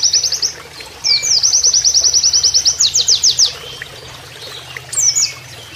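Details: Oriental white-eye singing its canary-style master song: short high trills, then a long, rapid run of repeated sharp notes ending in louder, downward-sweeping chirps, a gap, and a brief final flourish over running water.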